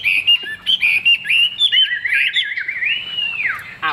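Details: Chinese hwamei kept in a cage, described as a good singer with a fig-leaf tail and glossy plumage: loud, varied whistled phrases, then a long sweeping note that rises and drops away, with short chirps at the end.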